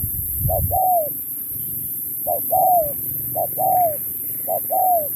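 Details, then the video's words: Spotted dove, 2024 singing contest, 'lối Thúc kèm Bo' song: four evenly spaced phrases, each a short hoot leading into a longer, gently descending coo. A brief low thump opens the recording, with constant high hiss behind. "Bài lối Thúc kèm Bo tráo trở nước như chim ngoại"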